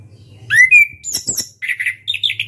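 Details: Orange-headed thrush in loud song with beak open: a rising slurred whistle, then a burst of high scratchy notes, followed by quick warbled phrases repeating in short groups.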